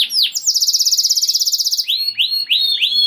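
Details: Lively canary singing to raise other canaries' breeding urge and prompt them to sing: a fast buzzy trill held for over a second, followed by four rising-then-falling whistled swoops about half a second apart.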